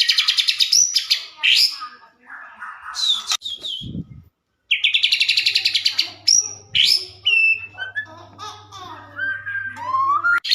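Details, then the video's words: Lively white-rumped shama song used to prompt other shamas to sing back: dense, high chattering and whistled phrases, rapid notes in bursts, a brief gap, then varied warbles ending in rising whistles; faint low hum. "Burung murai gacor ampuh buat pancingan murai batu langsung bunyi nyaut"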